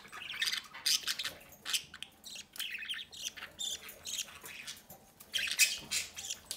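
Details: Captive budgerigars, a breeding pair feeding a chick at the nest door: harsh, high, rasping chirps in clustered bursts about every half second, with faint room noise underneath.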